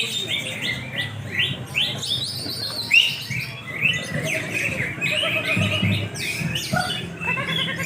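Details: Greater green leafbirds in a practice singing contest at Taman Baru, Banyuwangi: bright chirping and warbled phrases overlapping from several birds, with rising and falling notes and low crowd murmur and speech underneath.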